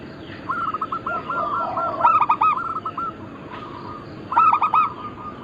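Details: Local zebra dove of Bangkok crossing stock, singing actively, recorded for luring and training birds: rapid stuttering cooing phrases with bright harmonics, repeating about every two seconds over a steady background hum and continuous mid-pitched whistling tones.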